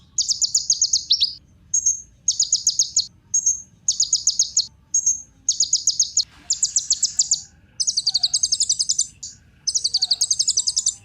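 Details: Kolibri ninja sunbird singing to lure other birds into song: a long sequence of dense, high, rattling trills broken by brief single whistled notes, with the trills growing longer and more complex toward the end.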